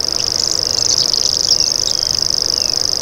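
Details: Continuous shrill reeling of a common grasshopper warbler, a dense rapid trill like a cricket, with a few faint chirps from other birds mixed in.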